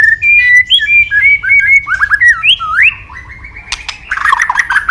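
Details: White-rumped shama, a favourite of songbird enthusiasts, sings a varied run of clear whistles, rising slurs and quick upward sweeps, ending in harsher scratchy notes and clicks.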